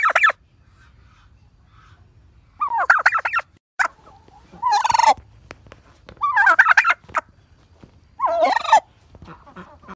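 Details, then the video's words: A turkey gives rapid, rattling gobbles in bursts of about a second, roughly every two seconds, with a quieter gap between the first calls. "Turkey Sound Animal - Turkey Call - Turkey Sound- Learn The Sound a Turkey Makes"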